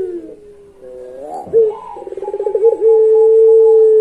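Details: Puter pelung dove giving its long pelung-style song: soft lower notes, then a rapid pulsed rolling coo, ending in a long, steady, pure drawn-out coo held for over a second, indoors.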